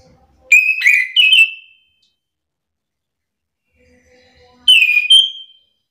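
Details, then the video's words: Orange-headed thrush singing as a provoking lure for other thrushes to answer. A short doubled burst of clear, warbled whistles comes first, then a single similar phrase about four seconds later. "Hitungan detik anis kembang malas bunyi langsung emosi ikut bunyi sahut sahutan"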